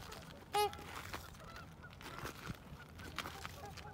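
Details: Trumpeter swans at Hudson, Wisconsin, March 3, 2021: one loud, brassy trumpeting honk from a nearby bird early on, followed by a softer chorus of distant honks from the rest of the flock over low rumble.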